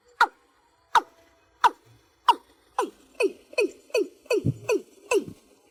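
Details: A watercock calls the flock: several well-spaced sharp notes, each dropping in pitch, then a quickening, denser sequence of similar clucks.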